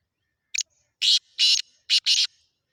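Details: Black francolin calling near Khushab: a short series of five harsh, raspy grating notes, the middle ones longer, given in quick succession against silence.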